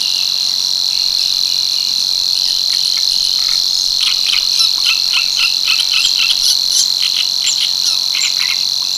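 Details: Monotonous high reeling from a Savi's warbler at Tancat de l'Illa, l'Albufera, steady for the full nine seconds, joined from about the third second by a lively series of chirping notes from another bird.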